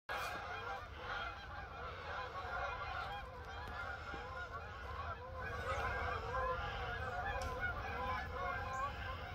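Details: Canada geese forming up to fly south, a large flock honking continuously in overlapping nasal calls, dense and steady throughout, with low rumbling noise underneath.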